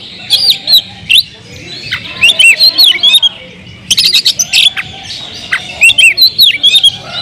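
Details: Loud kemrayak singing from an Oriental magpie-robin, aimed at provoking other magpie-robins: varied bright whistles and slurred notes mixed with rapid clicking bursts, grouped into dense runs after a sparser opening.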